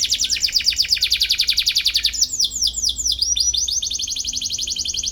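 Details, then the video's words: A canary in vigorous song, chirping to find a rival, for coaching young birds: a dense fast high trill, then looping sweeping notes and a quicker, steadier high trill. "KENARI GACOR CUIT CUIT MENCARI LAWAN BIKIN EMOSI"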